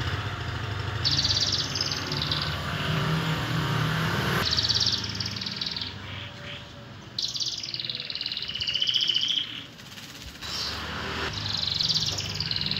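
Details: Canary kept in a cage, giving bursts of high warbling song separated by short pauses, with a low rumbling background noise throughout.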